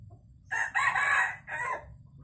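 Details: Morning crow from a tame Sumatran red junglefowl in a free-range pen: a brief opening note, a sustained hoarse middle phrase and a shorter trailing syllable, with faint low background rumble.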